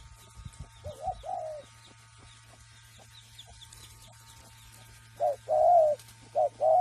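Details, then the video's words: Spotted dove raised free-range in cooing training: one soft two-part coo early, then a quiet gap with faint distant chirps, and two louder paired coos, short then drawn out, at the end over a low hum. "Chim Cu Gáy Nuôi Thả Tự Nhiên Tập Gù Cực Hay"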